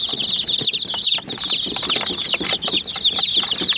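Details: Young chicken chicks attacking a small white toy jeep, calling in busy, high, sliding cheeps with bursts of loud pecking clicks and brief dips in the chorus.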